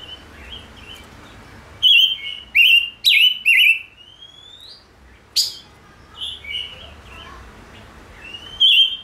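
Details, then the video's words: Chim ngũ sắc, the five-colored bird, delivers loud bright chirps in quick clusters, with rising whistled slurs and buzzy notes between pauses. A faint low hum runs underneath. "Chim Ngũ Sắc Hót Hay/ Chim Ngũ Sắc Kích Trống Căng Lửa"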